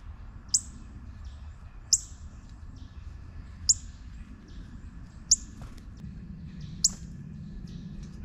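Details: Sharp metallic chips from a juvenile northern cardinal, five of them at uneven gaps of one to two seconds, with quieter twittering notes in between and a low background rumble.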